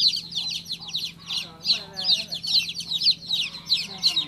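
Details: Baby chicken chirping: high, thin peeps repeated steadily about three times a second, each a short sliding note, with a faint low hum throughout.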